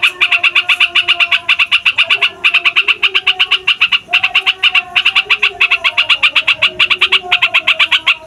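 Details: Noisy rolling yellow-vented bulbul song used to lure wild birds: dense, rapid chattering runs of bright notes in bursts separated by short breaks, with faint gliding low tones behind.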